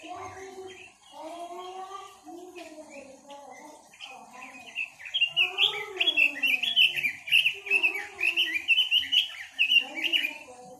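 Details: Chinese hwamei song: after a murmur of low voices, a loud sequence of quick, warbled whistles begins and continues in repeated rising and falling notes for the last five seconds, with low voices still audible beneath.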